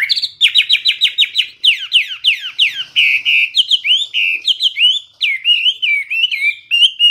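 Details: A captive Chinese hwamei in Vietnam sings loud, clear whistled phrases: quick runs of repeated notes, then rising and falling slurs, changing every second or so, with no other sounds.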